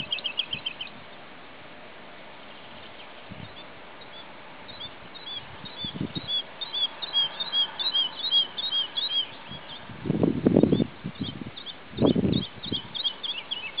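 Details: Singing male woodlark at Sceaux-d'Anjou, Maine-et-Loire, France, 2 July 2009: short series of liquid, looping high notes repeated in phrases, faint at times, over steady background hiss with loud low thumps and rumbles near the end.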